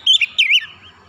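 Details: Brief white-rumped shama phrase, used to encourage other birds to sing: two quick bright whistled notes sliding down, trailing into a soft warble.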